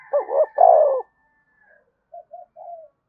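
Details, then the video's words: Single spotted dove phrase played to set other doves cooing: two short low hoots and a drawn-out loud coo, then three soft, brief murmured notes. "cu gay kich boi nhanh noi gù"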